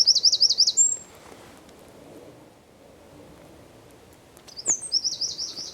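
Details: Eurasian wren singing in Zamudio, 4 December 2019: a fast high trill finishes with a whistled note, a quiet pause with faint clicks follows, then a fresh pulsed trill begins.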